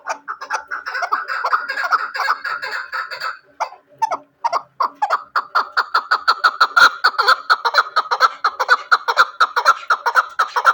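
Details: Chukar partridge kept as a hunting bird, calling indoors: a steady run of harsh, clucking chuk notes, about two per second, briefly pausing near the four-second mark, then resuming faster and louder in a rhythmic, laughing series.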